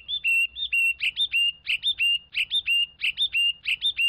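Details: Song of a Chinese hwamei, a brisk repeated two-part phrase with a short high note followed by a level clear whistle, cycled about every third of a second, loud and steady.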